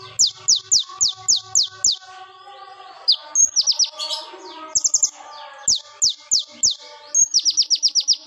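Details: Sharp, loud plain flowerpecker 'AK47 burst' singing used as a lure for songbirds: evenly spaced steeply falling high zips, then rattling tick bursts, with a faint lower warble and steady background tones between phrases.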